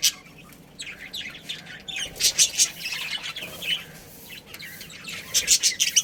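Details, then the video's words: Pet budgerigars in a colony giving sharp squawky chirps in short rapid flurries, quiet at first, then busier bursts toward the end. "Cute Budgies Chirping Sounds"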